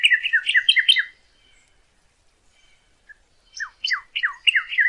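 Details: Northern cardinal song, used for teaching captive birds to sing: quick run of down-slurred whistled notes, a two-second silence, then another rhythmic series of falling whistles.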